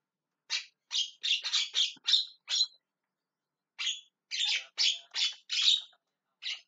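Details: Javan myna calling loudly with screeching cries: bursts of five or six harsh, noisy squawks in quick succession, a pause of about a second, then another similar rasping series.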